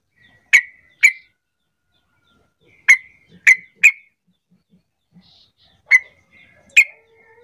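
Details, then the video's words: Sooty-headed bulbul calling to draw other bulbuls into answering song: seven loud, sharp chip notes at irregular intervals, some in close pairs, others spaced over a second apart, with brief faint low sounds between. "Panggilan trucuk terampuh jadikan trucukan lain ikut bunyi"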